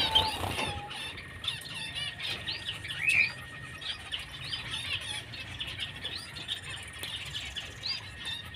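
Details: White-headed munias (Lonchura maja, white-headed mannikin) give a busy stream of thin, high chirps and peeps, with a steady faint whine in the background.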